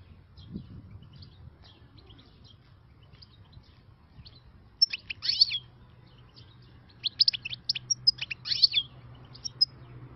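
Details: Wild European goldfinch, new catch, in khalawi song: scattered faint chips at first, then two louder bursts of bright twittering and trills around the middle and end, with quiet low rumble between.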